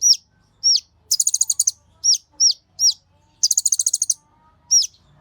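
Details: Kolibri Ninja sunbird lure recording for provoking caged birds to sing: sharp high down-slurred notes alternate with two rapid buzzy trills of about ten pulses each, very clean, quiet background.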